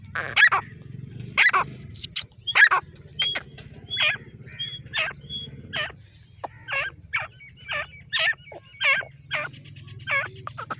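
A female grey francolin gives loud, ringing, hooked call notes, repeated about twice a second over a low steady hum.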